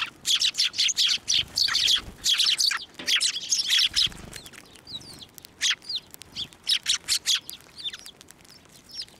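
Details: Sparrows being hand-fed at a Tenmangū shrine, 11 March 2024: a lively burst of overlapping chirps for the first four seconds, then sparser single cheeps and short twitters.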